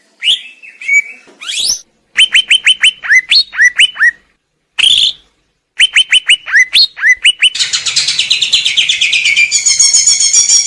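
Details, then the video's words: ['Greater green leafbird song: bright whistled notes and repeated falling whistles in quick series, separated by abrupt silent breaks, ending in a long dense buzzy trill.'] "Cucak ijo"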